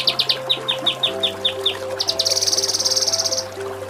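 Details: Kinoi song for training contest songbirds, ngepik and tembak style: a string of quick descending high chips followed by a long rattling high trill, with a steady low hum underneath.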